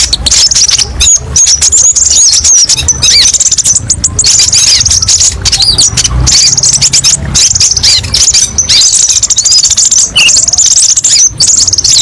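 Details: Kept purple-throated sunbird, known locally as kolibri ninja, giving many sharp 'tembakan' phrases for tutoring other birds: continuous very high thin trills and chattering runs with brief whistled slides, plus repeated dry clicks and knocks in the background.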